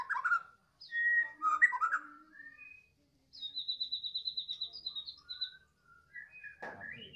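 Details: White-rumped shama, Medan type, singing in the afternoon: varied loud whistled phrases, then a long even trill of high repeated notes, then softer rising whistles and a sharp final note.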